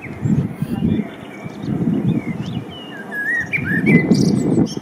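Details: Spring song of a male common blackbird, captured with a Panasonic LUMIX DMC-FZ1000 camera. Several rich, whistled phrases slide and loop through the middle, a scratchy twitter follows, and low rumbling noise swells in and out beneath.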